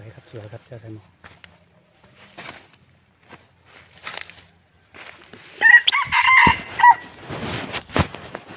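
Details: A decoy red junglefowl kept for trapping wild birds. Quiet low calls and scattered rustles come first, then a strong crow in choppy, ringing segments. Noisy rustling and thumps follow the crow.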